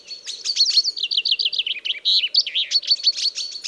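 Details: Common chaffinch song for use as a hunting lure: a continuous, rapid, rolling trill of slurred notes that drops gradually in pitch, then rises into bright, sharper flourishes near the end, over a faint steady hum.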